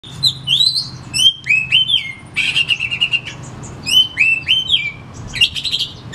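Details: Oriental magpie-robin singing loudly, used as a lure recording to stir caged magpie-robins at home that are reluctant to sing; rich whistled notes sliding up and down, mixed with buzzy rattling phrases and sharp high chips, delivered in quick bursts.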